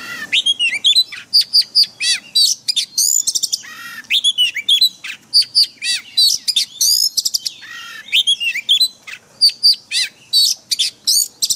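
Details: White-rumped shama song used for daily training of caged birds in a forest-style voice: loud, rapid run of varied whistled and buzzy notes, many sweeping up and down, delivered in dense bursts with short pauses throughout.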